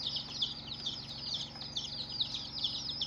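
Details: Young chicks on their first day giving a continuous group of high, falling peeps, closely packed and overlapping, slightly softer and more blurred, with a steady low hum beneath.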